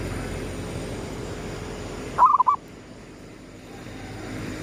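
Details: Zebra dove singing at sunrise in the gedong mengo style used as a lure: a single short phrase of rapid mellow cooing notes, a rising first note then quick trills, over a steady low rumble and hiss.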